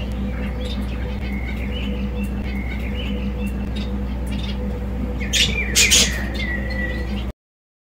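Soft, thin chirps and short squeaky notes from a Society finch, with a louder, scratchy burst near the end, over a steady low household hum.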